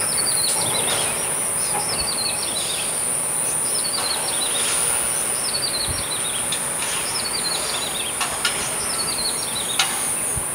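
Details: Grey-headed tailorbird at Badouzi fishing harbour, filmed from a home window on 29 April: repeated high, slurred descending twitter phrases roughly every one to two seconds, with constant high-pitched hiss and faint background clatter.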